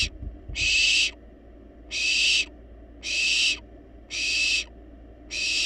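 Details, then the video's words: Persistent food-begging from wild barn owl chicks in a nest box: broad, raspy hiss calls repeated at just over one-second intervals, with a few soft knocks at the start. "Barn Owls Baby Playfully Demand Food Despite Being Well-Fed!"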